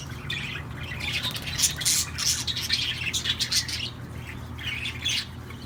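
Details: Budgerigar song: lively, fast chattering of high squeaks and rasping chirps in uneven bursts, pausing briefly before a final flurry.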